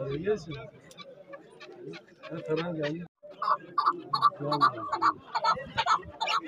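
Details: Chukar partridges at the Saturday partridge market in Zarafshon, Dushanbe, 10 February 2024; after men's talk, a bird gives rapid repeated clucking notes, roughly two or three each second, with voices and bustle behind.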